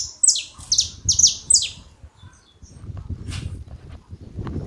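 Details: Saffron finches in a group call together, giving a quick run of four or five high, clipped, descending notes in the opening two seconds, then only low background rumble and a faint distant note.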